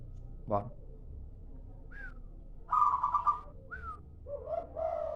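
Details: Local zebra dove lure call: several short, pitched notes, then a rolling, pulsed coo near the middle and a lower burry phrase at the end, over a faint low hum.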